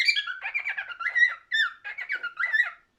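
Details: Continuous cockatiel warble of fast, slurred whistles and chirps, wavering up and down in pitch, with one brief break midway.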